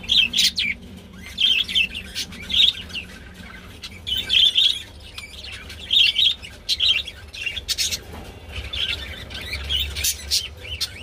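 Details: Mating budgerigars: bright high chirps in short clustered bursts, repeated about every second or so with brief pauses between, and softer scratchy notes in the gaps.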